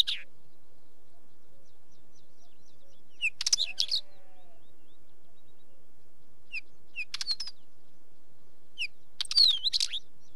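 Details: Wheatear giving sharp single chips and several short scratchy, rattling phrases with clicky notes and squeaky whistles, spread across about ten seconds. Faint chirps of another bird and a low tone are heard in the background.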